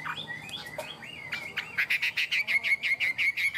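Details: Tame Chinese hwamei in a cage, singing in the high-perch 'cao cầu' style: a few varied whistles, then a fast, even series of short bright notes, nearly three per second.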